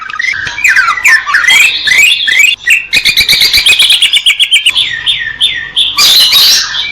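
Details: Greater green leafbird singing a loud, fast, varied song: sliding whistles and slurred notes, then a rapid run of sharp clicking chips, ending in bright swooping whistles.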